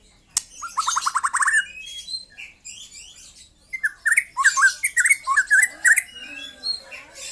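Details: A young white-rumped shama opens with a fast even trill of repeated notes, pauses, then sings a longer run of hooked whistled notes over a high chattering background.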